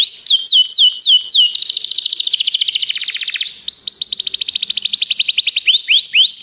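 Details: Canary song used as a training recording for canaries: a run of five clear descending whistled sweeps, then a long rapid buzzy trill, then more quick downward-sliding notes repeated evenly.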